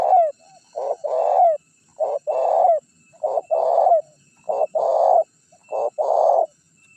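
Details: Spotted dove decoy calling to attract wild birds: loud, steady two-note coos, a short hoot then a longer throaty roll, about once a second for six phrases, over a quiet background.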